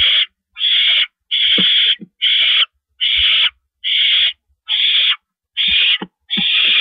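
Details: A barn owl pair on a porch, the male delivering a treat to his mate at 8:25 PM, April 16, 2012; nine evenly spaced, breathy screeching hisses sound in steady rhythm with faint clicks between.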